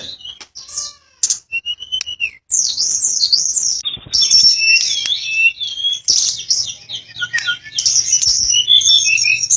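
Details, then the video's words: Flycatcher singing energetically: high, thin, fast twittering song with sliding whistled notes and buzzy trills, rising in intensity after a brief pause, with a faint low hum beneath. "Tledekan Gunung Gacor (Flycatcher Bird)"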